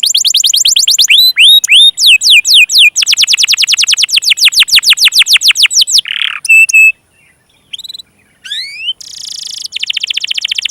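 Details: Canary singing as a lure for young birds and ones that have stopped singing: quick repeated downslurred whistles in rolling series, then a harsh buzzy note, scattered chirps and a rising whistle, closing with a dense buzzing trill.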